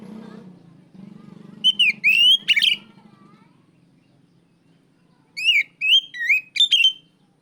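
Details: Oriental magpie-robin calling out a rival, giving two bursts of loud whistled notes, each a quick series of four or five sliding phrases, separated by a long pause over a faint low hum.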